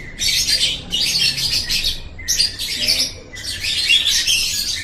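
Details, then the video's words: Lovebird song from a recording meant for training pet birds: dense, buzzy, high chattering in four long bursts separated by short pauses, sharp squeaky notes running through each burst. "Masteran Suara Burung Love Bird"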